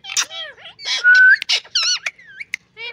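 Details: Green ring-necked parrot giving squeaky, harmonic, speech-like phrases with bent whistled notes, sharp chirps and one long clear rising whistle, delivered in quick, uneven bursts.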